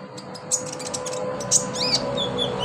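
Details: Konin, the olive-backed sunbird, used as therapy to get captive birds singing. Thin high chirps and slurred whistles rise and fall over a steady low hum and background noise.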